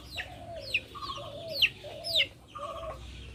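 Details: Backyard chickens give a few sharp, falling high chirps at irregular intervals over soft, low clucking notes, with quiet outdoor background.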